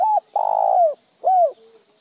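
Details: Spotted dove cooing, with styles described as một hậu lỡ and plain trơn: the tail of one note, a long buzzy held coo falling at its end, then a separate arched coo and a faint trailing tone.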